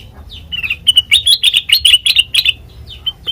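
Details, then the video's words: Sooty-headed bulbul singing sweetly, a recording meant as a lure for training birds: a quick burst of bright, slurred chirps about ten notes long, rising and falling around the middle, fading into a few softer notes at the end. "Suara Burung Kutilang Mas Sanget Merdu,COCOK BUAT PANCINGAN MASTERAN"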